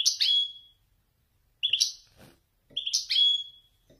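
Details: Wedani goldfinch in Marrakchi song style: three separate phrases, each a sharp chirp followed by a thin falling whistle, spaced about one and a half seconds apart, with faint clicking sounds between them.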